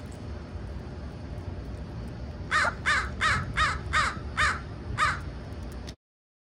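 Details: A flock of pre-roost crows gathering near sunset at a schoolyard, following familiar people in hopes of food: six harsh, evenly spaced caws over about three seconds, then the sound cuts off abruptly.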